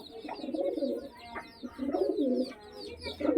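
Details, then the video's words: Kept pigeons in a loft block, several birds calling: low, throaty rolling coos in bursts roughly every second, with thin chirping of small birds above and a faint human voice in the background. "কবুতর ব্লক ভিডিও আমার কোন কোন কবুতর তোমাদের পছন্দ"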